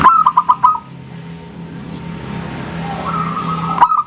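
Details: Local zebra dove in engkel song, a style that draws answering doves: a short run of five quick, bright coos, then a long murmuring hum with faint drawn-out cooing before another sharp note at the end.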